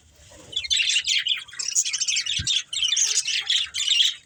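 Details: Budgerigars kept as pets chatter while playing and eating, with loud high warbling chirps and squawks in bursts about half a second long and a soft low knock partway through.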